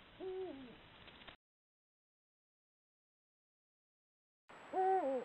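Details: Eurasian eagle-owls at night in the breeding season, two males competing for one female, caught by camera trap: a deep hoot with a slurred, falling end, then silence, then another louder hoot.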